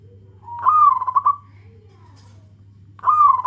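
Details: Zebra dove, local bird, giving a loud call to companions to draw other doves: a rising note into a quavering trilled coo lasting about a second, repeated after a pause, with a faint steady hum beneath.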